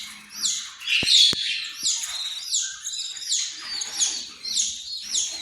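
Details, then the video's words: High, squeaky chattering from an Australian parrot, short rasping bursts repeated roughly every half second, with a few sharp knocks near the start. "Australian parrot"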